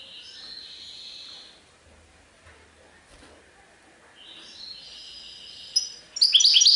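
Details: Serfati Tiwawati goldfinch song: a soft high warble, a quiet gap with low thumps, then twittering resumes and ends in loud, bright, rapid notes.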